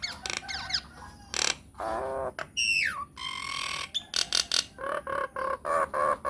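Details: Myna lure recording meant to make any kind of myna answer: a varied jumble of harsh, buzzy bursts, sweeping whistles and a run of short repeated notes near the end.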